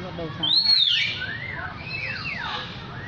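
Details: Lyrebird giving piercing high whistles that start with a strong arching slur, followed by gentler descending glides and falling notes in a continuous, varied phrase against faint background hiss.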